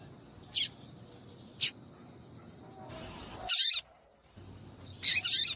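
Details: Female papa-capim (Double-collared Seedeater) call meant to set males singing: four high, sharp chirps, one overlapped by a brief rush of noise, followed by a moment of near silence.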